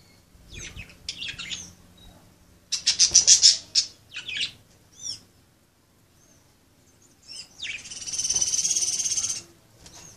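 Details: Several budgerigars playing: scattered sharp chirps and squeaky warbles, a rapid burst of about eight harsh notes near three seconds, then a long buzzy, grating squawk held for over a second toward the end; quiet background between calls.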